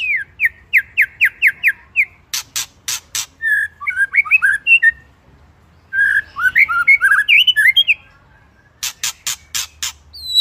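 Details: White-rumped shama, or murai, in full isian fill-in song: quick repeated slurred whistles, sharp clicking bursts, then jumbled rapid warbles and more clicks over a low hum.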